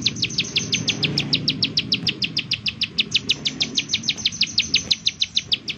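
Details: Lure call of a bar-winged prinia, 'nembak' style, meant to prompt other prinias to sing: an unbroken rattle of high, sharp, downslurred notes, roughly five each second, with soft low murmur behind.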